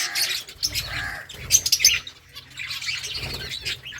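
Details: Colony of finches eating eggfood, giving many short, high chirps and tweets that overlap in bursts, loudest around the middle, with soft rustling and low background hum.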